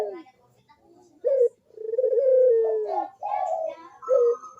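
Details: Cooing Barbary dove, played as a lure for lazy doves: short clipped notes followed by a long, deep, gently descending coo and further rolling coo phrases, with faint chirps of other birds behind.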